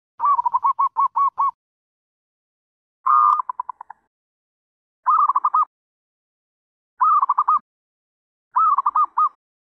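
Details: Zebra dove giving staccato cooing bursts, each a quick run of about six to eight short, clipped hooting notes, with phrases spaced roughly two seconds apart in an otherwise quiet background.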